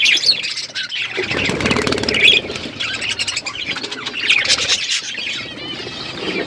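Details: Budgerigars in an outdoor aviary flock, continuous high chirping chatter with a stretch of fluttering wingbeats and rustling in the first half.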